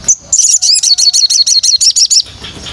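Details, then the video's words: White-rumped shama song used as training material: a rapid series of about fourteen sharp, high, downward-slurred notes, evenly repeated for two seconds after a brief opening whistle. "MATERI BARU BURUNG MURAI dijamin nembak pedas"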